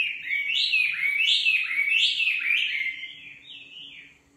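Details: Loud, sweeping whistled phrases from a nightingale rise and dip in quick succession, then soften into a few quieter slurred notes with a faint steady hum beneath.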